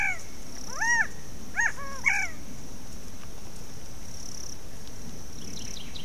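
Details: Bird in the background, which the recorder guesses is a bobwhite quail, whistles three clear slurred notes in about a second and a half, the last one highest, over a steady low rumble and a thin high hiss.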